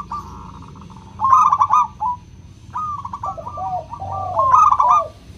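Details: Clear-voiced local zebra dove, a lure for doves slow to sing. A soft fluttering coo leads into loud trilled phrases, joined by lower sliding coos from another dove.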